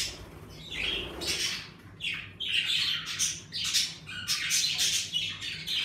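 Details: Pet budgerigars in an indoor bird room, lively now that it is warming up, keep up harsh, noisy squawks and scratchy chirps in dense, overlapping bursts with a steady low hum beneath.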